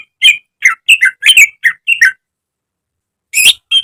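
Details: Greater green leafbird kept in a cage, recorded as training song. Quick burst of harsh, chattering squawks and twisting whistles, a pause of over a second, then two more loud notes.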